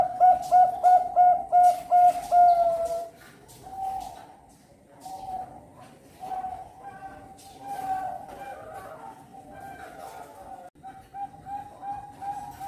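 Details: Caged champion zebra dove of Bangkok stock from Cirebon, Indonesia, hatched late 2021: a brisk series of clipped, mellow cooing notes, then quieter, longer wavering coos with faint clicks and background chatter.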